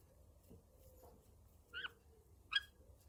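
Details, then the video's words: A pet green-cheeked conure, sleepy and trying to fall asleep, gives two short, soft chirps about three-quarters of a second apart, quiet and slightly nasal, against a faint indoor hum. "Sleepy Green Cheek Conure Sounds"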